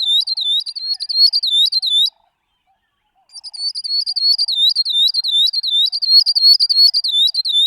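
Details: Northern grosbeak-canary (Crithagra donaldsoni) repeating bright, curling whistled notes in quick succession, a short series, a pause of about a second, then a longer steady run.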